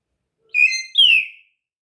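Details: Pet female myna, raised from a fallen featherless chick and a keen Malayalam talker, gives two clear, high whistles: a steady note, then a brighter one sliding downward, each about half a second long. The background is quiet.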